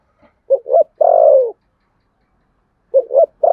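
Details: Spotted dove cooing in contest style with the Sấm Thổ voice: a full phrase of two short hollow notes and a long descending coo, a pause of about a second and a half, then the next phrase begins.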